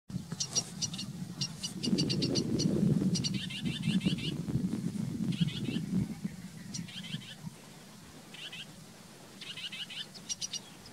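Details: Possible sedge warbler (identity uncertain), a hard-to-film reed bird, gives bursts of fast, scratchy chattering and trilled notes with short pauses between phrases, over a low rumbling background that fades after six seconds.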